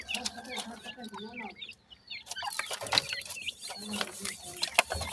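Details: Baby partridge chicks showing odd teetering movements, giving rapid high cheeping notes in overlapping bursts; a low human voice murmurs early on, and scattered clicks and rustles follow.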